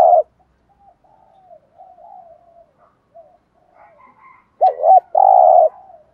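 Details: Spotted dove giving a "thúc gù" lure call to attract wild doves. The tail of one coo is followed by about four seconds of soft, quiet cooing, then a single loud phrase: a quick doubled note and a long husky coo.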